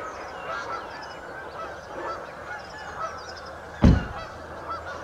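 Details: Canada geese in a flock at St Anne's Lagoon, a busy background of overlapping honks and murmuring calls, with a single sharp thump just before the fourth second.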